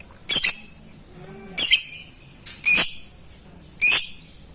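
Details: Lovebird challenging a rival with ngetik calls, used to get idle lovebirds singing; four strident, buzzy shrieks arrive about one per second, separated by near-silence.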